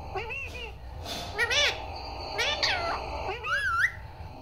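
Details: Parrot mimicking "Mummy" and "Papa": a string of nasal, wavering syllables about one per second, some arching and some rising, ending in a higher whistled upward-bending note.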